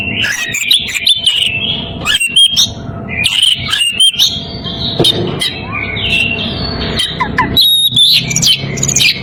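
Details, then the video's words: Oriental magpie-robin in breeding condition calling to a rival, pouring out a long, varied run of fluty whistles, rapid clicks and harsh grating bursts with barely a pause. "Kacer birahi memanggil lawan"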